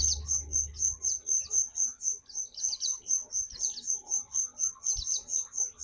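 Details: Actively singing white-eye (pleci), giving a steady run of very high, sharp chirps about four per second, with quick twittering flourishes between them. A brief low rumble comes at the start.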